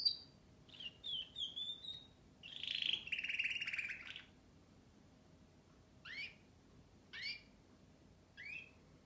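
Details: Canary song opening with high whistled slides and a long buzzy trill, then three isolated upswept chirps a second apart.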